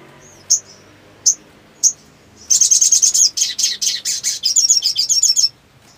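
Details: Black sunbird singing hard in breeding mood: three separate piercing high chirps, then a fast, buzzing series of rapid high notes lasting about three seconds before stopping.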